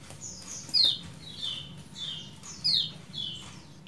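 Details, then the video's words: Bulbul giving 'ciak jos' calls for a long-duration training recording: a series of high, downward-slurred chirps about every half second, a few louder and sharper, with a steady low hum underneath. "MASTERAN AMPUH CIAK JOS KECIAL KUNING DURASI PANJANG"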